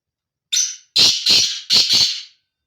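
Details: A male black francolin's breeding call rings out clearly: one short raspy note, then two powerful grating two-part notes in quick rhythm, with no other sounds around.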